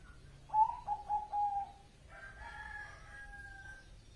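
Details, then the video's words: Bangkok perkutut zebra dove singing a short phrase of four low, soft cooing notes, followed by a drawn-out rooster crow that continues for nearly two seconds. "perkutut bangkok gacor"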